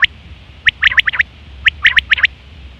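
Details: Female quail calling, a lure for hunters: two quick bursts of sharp, high notes, each a tight cluster of about five notes, with a pause between them.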